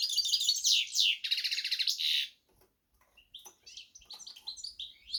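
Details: Goldfinch and canary hybrid gives loud buzzy trills and high chirps, then falls briefly quiet before resuming with scattered, thinner twittering notes.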